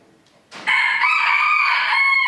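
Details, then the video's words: Villers-la-Ville crowing contest, 2022, the club's first event of the year: a short rustle, then a loud sustained rooster crow, steady and ringing, still going at the end. "Chants du coq 2022"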